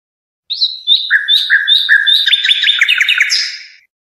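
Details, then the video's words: Song of a European goldfinch, used for teaching young birds: high, short chirps in a loose series, then quicker down-slurred twittering notes packed into a busy phrase. "صوت الحداد"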